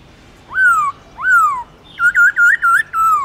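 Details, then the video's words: Black-throated laughingthrush in a cage, forest-voice song with long drawn slurs. Two long arching whistles, then a fast bouncing run of looped notes ending in a gently falling whistle. "Khướu Bạc Má Hót Giọng Rừng LUYẾN DÀI HAY"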